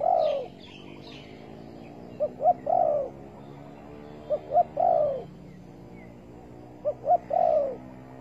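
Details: Spotted dove recorded while trapping birds with bare bait in August 2020, repeating a three-part phrase of two short clipped rising notes and a long husky falling coo, roughly every two and a half seconds, with faint higher chirps early on.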